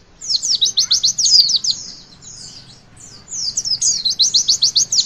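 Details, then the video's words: Witwit song of the Javan white-eye, played to encourage young birds to sing: two long bursts of fast, high, regularly repeated sharp notes separated by a short pause with softer slurred whistles. "Pleci Bakalan Ikutan WITWIT ga pake lama Bikin Gacor!!!"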